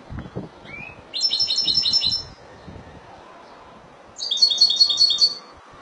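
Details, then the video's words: Two separate bursts from a European goldfinch, Spanish, Málaga: each about a second of quick, evenly pulsed high chirps like a tinkling rattle, divided by a quiet interval with faint low rustling. "لعشاق تغريد الحسون الاسباني ( مالاقا)"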